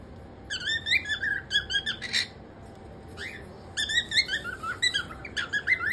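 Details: Male cockatiel giving bursts of quick squeaky whistled chirps in rapid clusters, with a lone rising whistle and brief pauses between phrases.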